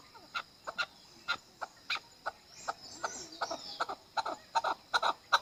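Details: Partridge known as chakor, a hunter bird, giving spaced sharp chuk notes that bunch together and quicken toward the end, over steady background hiss with faint chatter in the middle.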